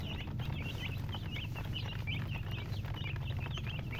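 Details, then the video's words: Baby chicks chirping: clear, high, looping peeps come in quick bursts from several birds at once, over a droning low-pitched background. "MURGI Baby "Chicks Chirping" Sound"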